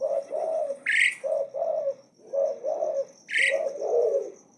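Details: Bold, persistent Asian pied starling song: steady low warbled phrases with two strident rising screeches about two seconds apart, over a faint high steady tone.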